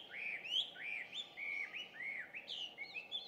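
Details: Introduced Chinese hwamei in full morning song on 2 June 2019: a series of arched, upslurred whistles repeated in quick succession, bright and loud, with faint background hum.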